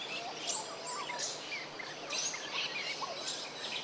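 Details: Several Rainbow bee-eaters near Cairns, Australia, give short, bright, trilling chirps in quick succession, overlapping, over a steady hiss of outdoor background noise.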